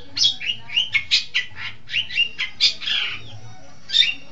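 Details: Lure recording for training birds: a long-tailed shrike delivers a string of sharp, squeaky and scratchy notes, then pauses before one final harsh note.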